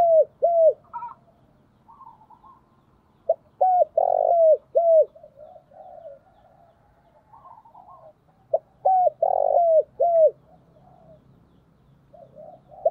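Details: Spotted dove used as a decoy to draw in wild doves, repeating phrases of short coos with one long rough central note, interspersed with softer warbling murmurs, in a quiet setting.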